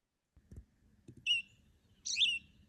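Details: Hutton's Vireo in winter on the Sonoma Coast, Northern California, gives two high, slightly buzzy notes about a second apart after a couple of soft low thumps, the second note longer and wavering; the song repeats over and over.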